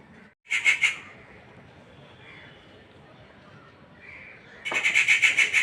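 Rufous treepie giving two bursts of harsh, grating chatter, fast pulses about three or four a second, separated by a quiet stretch with faint background hiss.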